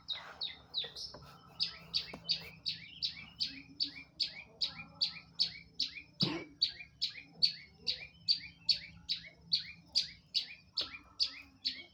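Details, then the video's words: Long-tailed shrike (cendet) singing vigorously: a steady run of short, high, downward-sweeping chirps repeated about every half second, with faint low background noises. "Cendet Gacor"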